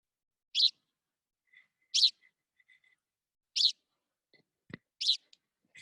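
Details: Richard's pipit call: four loud, harsh, shrieking single notes, each brief and about one and a half seconds apart, with a faint thump between; the call is described as a long, really harsh shriek, unlike paddy field pipit notes.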